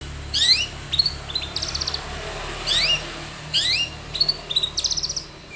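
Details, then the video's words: Long-tailed shrike singing vigorously with a full range of varied phrases, used as a lure to make other shrikes sing: sharp rising and falling whistled notes alternating with short buzzy bursts, in two similar phrases about three seconds apart. "SUARA cendet Gacor full varian pancingan cendet agar bunyi"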